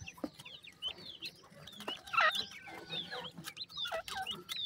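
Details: Captive Black francolin chicks that are getting weak give high, bending whistled peeps, a few louder bursts standing out from a continuous overlapping chorus with light tapping.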